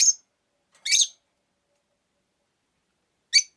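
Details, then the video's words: A few isolated squeaky chirps from a pet rosy-faced lovebird, spaced roughly a second or more apart, high and thin with harsh overtones. "Lovebird Chirping Sounds"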